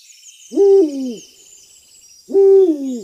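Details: Owl hooting: two separate low, hollow hoots about 1.8 seconds apart, each a steady note that bends downward at its tail, over a faint high insect hum.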